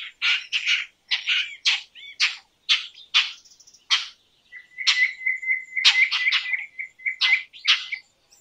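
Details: Indian roller uttering loud, raspy, chack-like notes in an uneven series, with a thin steady trill of repeated high ticks running beneath the middle section.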